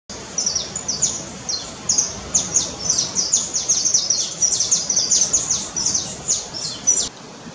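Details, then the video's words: A Red-legged Honeycreeper near Cumuruxatiba, Bahia, Brazil, gives a fast, steady stream of thin, very high chips and short down-slurred notes for about seven seconds, over faint background hiss. "red legged honeycreeper"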